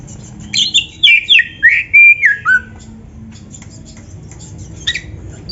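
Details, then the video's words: Oriental magpie-robin (kacer) master song for caged birds: a quick sequence of loud slurred whistles stepping downward over two seconds, then quiet with one sharp note near the end. "SUARA MASTERAN BURUNG KACER GACOR ‼️ DENGAN FULL ISIAN MEWAH - SEKETIKA IKUT GACOR"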